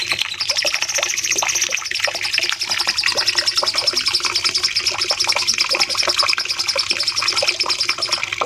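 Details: Training recording of cucak cungkok, a bulbul, for caged birds, with long shooting phrases: one unbroken high, fast trill of rapidly repeated notes carries for about eight seconds over a thick background of busy chirps.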